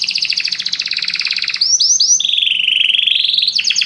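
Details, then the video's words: Canaries sing together after hearing music: a fast, even trill of high chips for about a second and a half, then a few sweeping upslurred notes, then a long wavering whistled roll ending in a buzzy burst. "muitos canários cantam junto depois de ouvir essa música"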